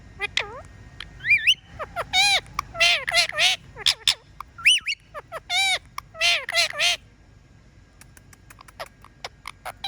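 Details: Talking pet parrot whistling: a run of bright, wavering whistled notes with rich overtones, some rising and some swooping up and down, in bursts over seven seconds. It then falls quiet apart from faint clicks.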